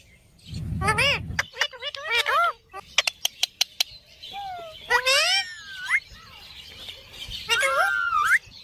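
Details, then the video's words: Talking parrot producing a varied run of chirps, sliding whistles and sharp clicks, with rising and falling harmonic notes scattered across the clip, some loud and some soft. "Parrot Talking"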